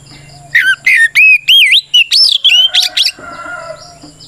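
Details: Oriental magpie-robin (kacer) in aggressive song for provoking other birds: a quick run of about ten bright whistled notes climbing and dipping, fading into softer chirping and a low hum.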